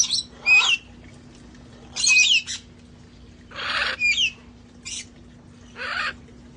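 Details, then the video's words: A sanctuary's parrots enjoying the outdoors before the cold, trading harsh squawks and whistled upslurs, about five raspy bursts spread over several seconds, with a steady low hum throughout. "sounds of parrots having fun outside enjoying life"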